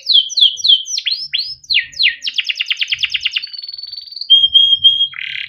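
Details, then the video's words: Yellow Timbrado canary singing a melodic song: quick falling whistled notes, then a fast rattling trill, a thin sustained whistle and steady level piping notes, ending in a short buzzy burst. "Yellow canary singing video Timbrado canary singing beautiful melodic songs"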